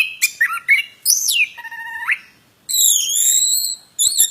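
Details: Plontang bird song of mixed whistles: a short descending slur, a flat sustained whistle ending in an upward sweep, then a long high steady note, with sharp chirps between.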